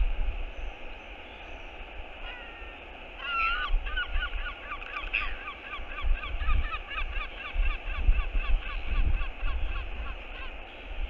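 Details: Courtship skycall of a northern royal albatross greeting a returning partner, nest camera, 22.02.11. Two thin rising whistles lead into a long, fast, rattling series of honking notes over steady wind noise.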